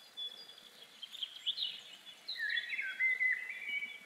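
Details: Great tit (Parus major) singing in spring in bright, overlapping whistled and chirping phrases, busy and high-pitched, with a common chiffchaff in the background and a light outdoor hiss.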